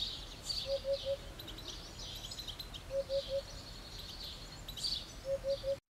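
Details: Eurasian hoopoe singing insistently from a roof tile: soft, low, hollow triple notes, oop-oop-oop, repeated about every two seconds, with high thin chirps from other birds behind.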